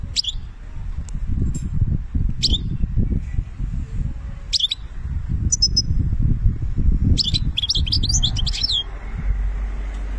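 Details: European goldfinch from Algeria in its benna song style: scattered thin high chirps, then a quick rush of twittering, tinkling notes near the end over a steady low rumble.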